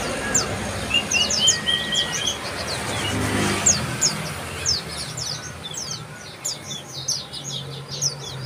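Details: Bar-winged prinia calling: short, high, sharp chirps and sweeping notes that come rapidly and irregularly, with a brief lower trilled phrase early on. A steady low hum of vehicle noise runs underneath.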